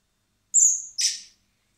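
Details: Common blackbird nestlings begging while being hand-fed in spring at a wildlife recovery centre before release; a piercing, thin whistled squeal followed at once by a harsher, buzzier second note.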